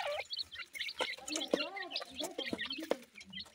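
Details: Several francolin (teetar) chicks, described as Irani/Dakhni partridge chicks, give a busy chatter of thin, high peeping notes over soft, low clucking, many calling at once in quick, uneven bursts.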